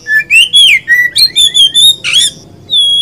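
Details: Kacer (Oriental magpie-robin), a songbird described as gacor and ngobra, of poci or local type, sings a run of clear whistles in a steady rhythm, with a harsh burst and a held high note at the end.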